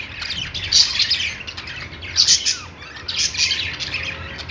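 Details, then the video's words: Budgerigars in a pet store, several birds chirping together in three bursts of bright, scratchy chatter spaced about a second apart, with quieter gaps and a low background hum between bursts. "budgies singing | budgie sounds"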